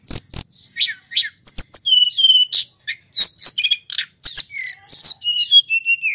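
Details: Sulingan singing on Mount Merapi, Indonesia, with a long, varied run of high whistles, buzzy notes, sharp clicks and falling slurs. The notes come almost without a break.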